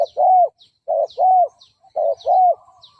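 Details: Decoy cooing of a spotted dove meant to draw in and rouse rival fighting males: three paired phrases, a short low coo followed by a longer arched coo, repeated about once a second, with thin high chirps in the gaps.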